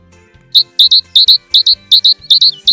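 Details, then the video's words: A tit, presented as a wintering bird, sings a bright, high two-note phrase repeated in quick pairs, about three phrases a second, over a faint low hum. "синиця співає"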